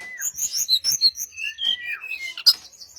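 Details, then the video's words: Brown-chested jungle flycatcher song used as a lure to make other birds answer: a quick run of clear, varied whistled notes, mostly high and sliding, with a few lower rising whistles toward the end. "SRDC Sikatan Rimba Dada Coklat - Pancingan untuk SRDC lain pasti nyaut"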